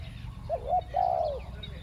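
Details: Spotted dove used as a decoy to lure wild doves, giving the two-note 'ku-ang' cooing style: a short rising note, a brief break, then a longer sliding coo that falls away, over low rural background rumble.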